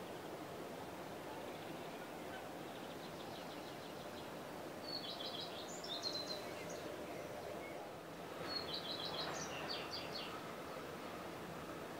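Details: Common redstart (Phoenicurus phoenicurus) song, Náchod-Běloves, 5 June 2016: two short high phrases about three seconds apart, each a thin opening note running into a quick jangling twitter, over steady rushing background noise.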